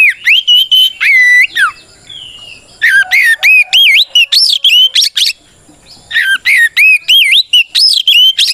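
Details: White-rumped shama delivering a loud challenge song to bait rival shamas into singing: bursts of rapid looping and rising whistles, about three notes a second, broken by two short pauses.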